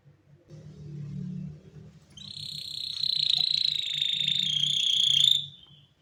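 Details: Canary singing, a long steady trilled phrase held high and sliding slightly downward for about three seconds, preceded by faint low murmuring noise.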